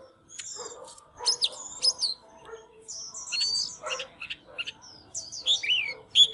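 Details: White-rumped shama singing with display dancing, a caged bird giving scattered whistled notes, short chatters and sharp rising and falling slurs, fairly quiet with small gaps between phrases.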